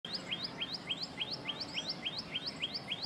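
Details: Common tailorbird, a warbler-like garden and park bird of South and Southeast Asia, giving loud, rapid repeated upslurred notes, each a short whistle rising sharply, about three or four per second in a steady run.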